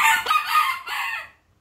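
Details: A young rooster, raised from a chick and now grown, crows: a hoarse, broken crow in three rough syllables lasting just over a second, then silence.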